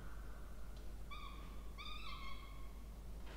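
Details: Feeding time for two Peregrine falcon chicks in a water-tower nest box at Charles Sturt University, Orange, Australia, 20 October 2024. Two strained, nasal, drawn-out wails, the second longer and wavering, sit between quieter moments.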